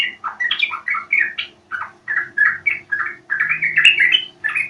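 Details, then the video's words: Yellow-vented bulbul lure call for prompting song: a rhythmic sequence of separate rounded, gurgling notes, about two or three per second, each slightly different in pitch. "Panggilan burung trucuk sangat jitu dijamin nyaut"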